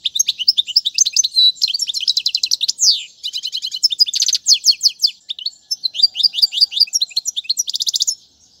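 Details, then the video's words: Goldfinch song used to teach fledglings: nearly unbroken rapid twittering, mixing sweeping chirps with fast metallic trills, ending abruptly after eight seconds. "أفضل تغريد الحسون"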